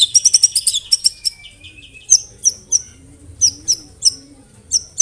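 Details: Murai batu singing canary and cililin imitations: a quick run of sharp high notes, then spaced bright chips and short downslurred whistles roughly every half second over a quiet, faintly hissing background.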